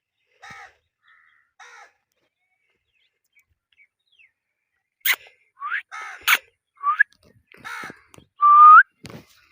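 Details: Indian ringneck parakeet kept as a pet, giving short chirps at first, then a burst of harsh rising squawks and a sliding whistled note near the end, with brief gaps of quiet between calls.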